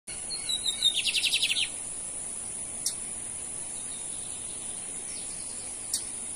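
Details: Lined seedeater, a male in a singing contest between two males, from Brazil: a short buzzy trill of about eight rapid repeated notes near the start, then faint chips and a steady high electronic whine.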